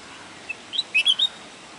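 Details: Bulbul singing in Pu La Deshpande Garden: a short burst of clear whistled notes, a lone thin note followed by a quick cluster of rising and falling liquid whistles lasting under a second, over faint steady background hiss.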